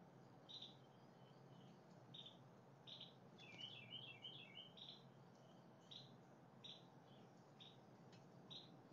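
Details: Two blue jays calling in the morning, July 8, 2020: short squeaky high notes repeated roughly every second, with a quick run of several notes midway, over a steady low background rumble.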